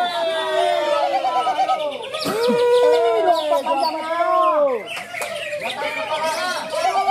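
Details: Greater green leafbird singing in a bird-singing competition at Ronggolawe, Malinau, North Kalimantan; rich run of varied whistled, slurred notes with rising and falling sweeps, crowd voices and music behind.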